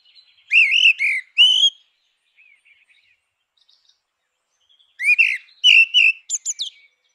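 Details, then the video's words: Grey-winged blackbird singing two bursts of rich, fluty warbled phrases mixed with high twittery notes, separated by a few seconds of near silence. "Canção do melro com asas cinzentas! Som de melro com asas cinzentas!"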